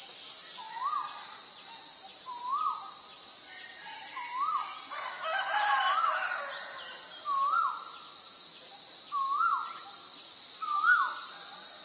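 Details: Common myna (Acridotheres tristis) in Ubon Ratchathani, Thailand, 20 March 2022: a clear note rising then dropping, repeated about every one and a half seconds, with a brief burst of other calls midway over a steady insect drone.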